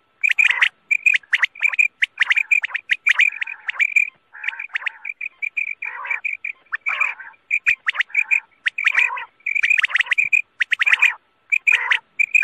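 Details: Quail call used as a night-time lure for hunting: quick, overlapping bursts of sharp, high chirps, repeated almost without pause, as though several birds are calling at once.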